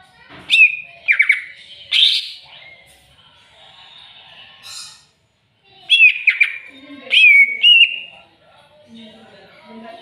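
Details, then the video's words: Greater green leafbird answering a rival with repeated sharp downslurred whistles and scratchy bursts, two phrases split by a short silence, with faint low chirps in the background. "CUCAK IJO CARI LAWAN!!!bikin cucak ijo emosi"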